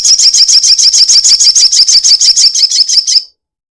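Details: Crested jay in long 'ekek' style, used as a lure to make other birds sing: a fast run of sharp, high chattering notes, about six per second, lasting over three seconds, then stopping abruptly.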